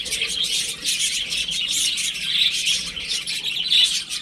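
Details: Chicks at home while playing, many chirping together in a steady high-pitched cheeping chorus, notes short and overlapping with no clear rhythm.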